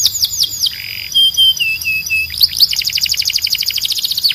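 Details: Belgian canary singing a training song for young canaries. Quick descending chips, a short buzzy roll, several clear whistled notes, then a long, very rapid run of high repeated notes.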